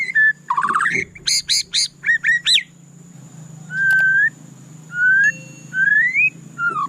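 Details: White-rumped shama singing loudly, a mix of clear slurred whistles rising and falling, short harsh stacked notes and buzzy phrases, with a steady low hum underneath.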